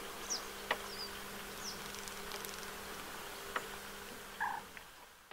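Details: Western yellow wagtails bathing as a family at Lake Hornborgasjön, Sweden, 15 August 2023: a few brief, high, sharp descending calls early on, over constant background noise, with scattered clicks and a low steady hum.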